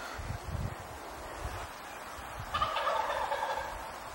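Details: Wild turkey gobbling at dawn in the Wisconsin woods: a faint, rattling gobble bursts out in the second half after low rustling thumps, distant and muffled among the trees.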